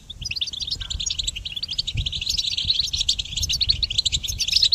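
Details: A goldfinch, possibly a hybrid, sings a fast, unbroken stream of bright, tinkling twitters and trills, used as song training for songbirds, high-pitched throughout over a faint low rumble; finding: goldfinch.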